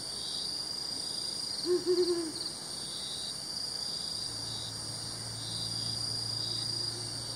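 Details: Brown wood owl in Nam Nao National Park, Thailand, gives one low, quavering hoot of three or four quick pulses, its deep call likened to a forest ghost, over steady high-pitched insect buzzing.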